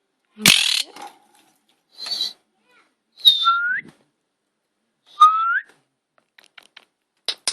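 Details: A female pet Monk (Quaker) parakeet guarding her eight eggs, fearing people will harm them, gives short rising whistles between sharp clicks and a harsh buzzy burst.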